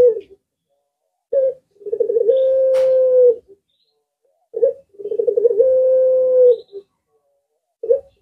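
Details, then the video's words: Two drawn-out coos from a puter pelung collared dove, each starting with a rapid stammer of pulses that settles into a smooth, steady tone, separated by short single notes and quiet gaps. "Burung Jenis Lainpun Ikut Nyaut Jika Mendengar Suara Puter Pelung Ini"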